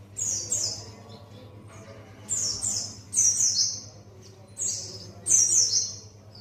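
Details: White-eye of the buxtoni form learning wild ngalas singing: paired, shrill downslurred whistles delivered in spaced bursts, quiet gaps between, steady low hum behind.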